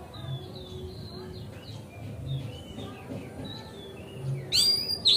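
Oriental magpie-robin giving varied, clear whistled phrases at high pitch. A steady low rumble sits underneath, and a loud, harsh burst comes near the end.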